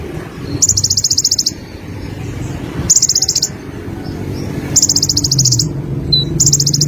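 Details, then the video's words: Olive-backed sunbird repeating high-pitched rattling trills, each close to a second long and coming about every two seconds, with faint chips between them and a low background hum throughout. "BURUNG KONIN SUARA GACOR"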